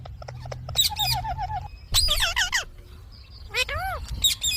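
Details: Pet Indian ringneck parakeet uttering three separate bursts of word-like sounds, including a held nasal tone and looping, swooping syllables, with quiet gaps between.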